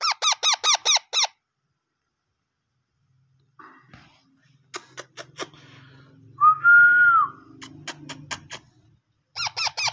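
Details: Parrot chicks being hand-fed, with bursts of rapid, arched begging squeaks at the start and end. Between them come clicks, a low hum and a brief whistled tone.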